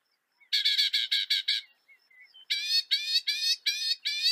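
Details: North American northern mockingbird singing: a burst of rapid harsh rasping notes, a short quiet twittering gap, then a second series of six loud grating notes repeated evenly.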